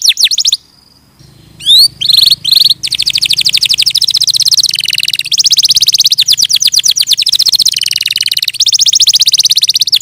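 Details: Canary song: fast trills of rapid repeated notes between about 2 and 8k, broken by short swooping whistles and a brief pause near the start, with a faint low hum underneath.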